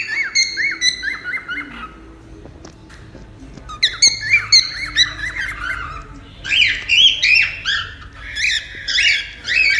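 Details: Cockatiel used in taming sound: a series of repeated arched whistled chirps, about two a second at first, then denser chattering warbles growing louder toward the end.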